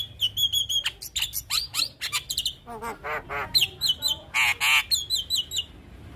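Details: Javan myna singing, recorded as a tutor song for young mynas: repeated short whistles, slurred rising and falling notes, and harsh nasal squawks strung together in a fast, varied sequence.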